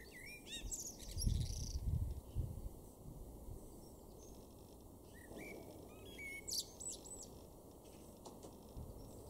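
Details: Male common blackbird in a garden in Weener, East Frisia, northwest Germany, April 2024, gives two short warbled phrases about five seconds apart, each ending in thin high twitters, over a low rumble and faint hum.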